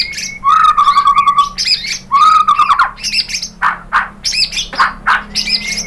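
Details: White-rumped shama singing as a lure to make other birds answer: harsh buzzy rattles and squawky notes with a lower rasping tone, delivered in quick choppy bursts.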